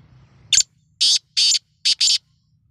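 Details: Kala tetar, the black francolin, calling in five scratchy, noisy bursts, starting with a brief note and following with evenly spaced longer rasps, the last two run close together; faint low rumble beneath.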